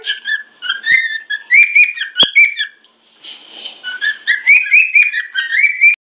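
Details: Cockatiel at home showing off with loud song to another cockatiel during breakfast; clear piercing whistled phrases with rising and falling slurs, a sharp click near the middle, then more whistled notes.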